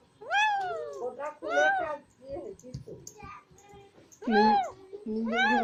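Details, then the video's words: Alexandrine talking parrot producing speech-like phrases: arched, voice-like syllables with strong overtones, several quick clipped sounds in the middle, then two more loud, drawn-out, word-like utterances near the end; indoor-sounding, no other clear sounds. "So A Nice Voice Of Alexandrine Talking Parrot"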